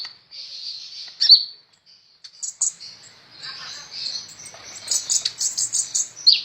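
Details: Sunbird of the type kept as a song tutor for other cage birds, singing energetically: thin, very high twittering trills and sharp ticks run almost continuously, building into a busy stream of chips.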